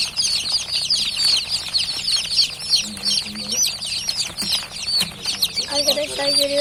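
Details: Newly hatched chicken chicks, a group only just out of the egg, keep up a continuous shrill peeping of quick falling notes; a man's voice talks briefly near the end.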